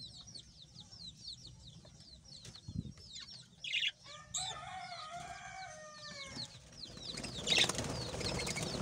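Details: Several budgerigars chatter in a steady stream of fast, high, sweeping chirps. Mid-clip a series of lower, drawn-out, squeaky tones stands out, then a louder burst of noisy, harsh twittering closes the passage.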